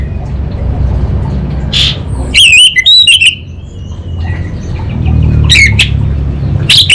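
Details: Orange-headed thrush song in kabel konslet style moving into ngeplong: short runs of twisting, squeaky high notes in two separate bursts, with quiet gaps and a constant low background drone.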